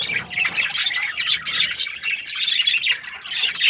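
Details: Budgies chirping, a lively mix of grating squawks and clear high whistled notes from several birds close by.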